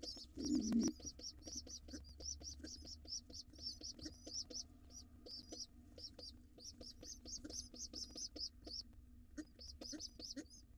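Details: Wild pigeon nestling coming to breakfast with its father inside a nest box; a loud bump opens, then fast high squeaky peeps run continuously, several per second, over steady low knocking sounds.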